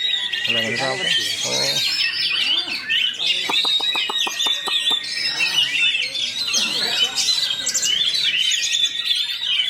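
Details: Rapid, tightly packed roll speed rapat song from an Oriental magpie-robin (kacer): busy chattering trills and whistles throughout, a run of sharp ticking clicks midway, and voices talking in the background.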